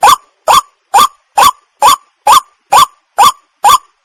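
White-breasted waterhen giving a short, hoarse, upward-bending note nine times in four seconds, about two per second, evenly spaced, with no other sounds.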